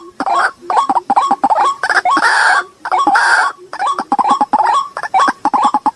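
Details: White-breasted waterhen lure recording, played to draw waterhens out: quick irregular run of short croaking notes with upturned endings, broken by harsh, broad screechy bursts, about once a second.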